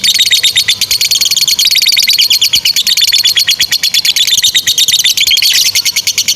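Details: Continuous high-pitched lovebird chatter in the long ngekek style, used to teach young or silent birds: fast, buzzy notes stacked tightly together, with no pause, holding a steady bright pitch with small wavering shifts.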